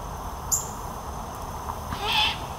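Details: Young great horned owl nearing independence, calling for parental feeding at Fenner Nature Center, Lansing, Michigan: a brief high click, then one rasping, hissy screech near the end over quiet hum.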